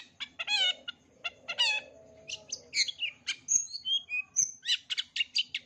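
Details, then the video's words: Long-tailed shrike giving varied 'isian' song as a model for young birds: harsh, harmonic rasps, then a fast mix of squeaky chirps, thin whistles and chattering notes with almost no pauses. A low hum sits in the background. "Cendet isian lengkap, COCOK untuk CENDET MUDA belajar BUNYI, JITU dan GACOR"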